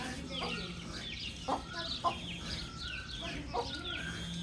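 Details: Baby chick chirps: bright, falling peeps from a few birds, some short and some drawn out, with occasional soft knocks and a low background hum.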